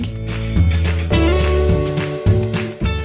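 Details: Loud strummed guitar music with a deep bass line; no animal sounds can be heard.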